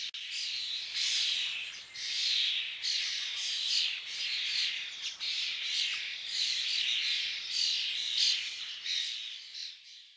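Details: Common starling song: an unbroken stream of harsh, rasping, squeaky chatter in short overlapping bursts, with thin whistled notes, loudness rising and falling every second or so for about ten seconds, then fading out.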